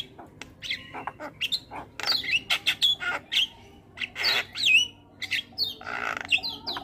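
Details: Starling training song meant to make caged starlings start singing: a varied mix of sharp clicks, harsh rasps and bright whistled slides, delivered in quick irregular bursts.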